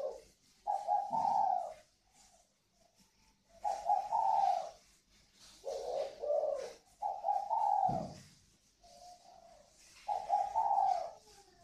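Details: Pair of captive spotted doves of the northern Vietnamese type, singing in the 'còi vang' style, at a bird farm in Ba Vì, Hanoi. Mellow, low multi-note cooing phrases recur about every three seconds, with faint chirps between.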